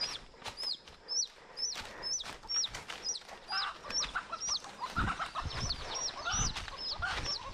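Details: Wild chicken chicks captured in the forest, their hens gone, held in a woven cage to tame them. High downward-sliding peeps repeat steadily, joined near the end by lower clucky notes and knocking sounds.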